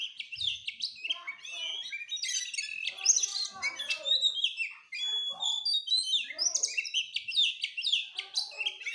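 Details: Kacer, the Oriental magpie-robin, pours out a fast, continuous song of bright whistled notes, quick trills and sharp upward and downward sweeps with hardly a pause.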